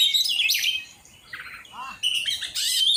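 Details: Oriental magpie-robin being trained to sing, producing loud bursts of high chirping and whistled notes separated by a short quieter gap with softer mid-pitched notes.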